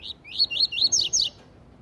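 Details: Double-collared seedeater giving a "tui tui zel zel" song used for tutoring young birds: a quick series of about six bright, rising slurred whistles, ending in two higher, steeply falling notes, in a quiet setting.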